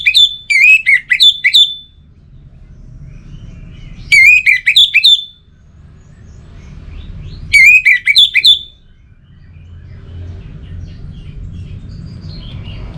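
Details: Three clear warbled phrases from an Orange-headed thrush, spaced roughly every three and a half seconds, each a quick run of swooping whistles, with a soft low hum between.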